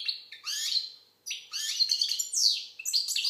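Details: Algerian goldfinch (European goldfinch) delivering scratchy twittered phrases mixed with buzzy trills and slurred notes, one brief silence midway.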